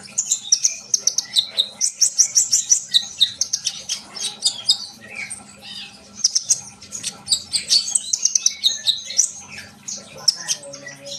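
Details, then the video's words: Sunbird song, used to encourage young birds to sing: fast, tinkling high chirps and twitters in long dense strings, easing briefly midway before resuming, over a soft low background hum. "kolibri bahan pasti yaut dengar suara konin ini gacor?"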